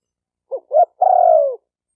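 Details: Spotted dove call used to stimulate males and females: two brief clipped notes followed by one drawn-out coo that slowly falls in pitch, in silence otherwise.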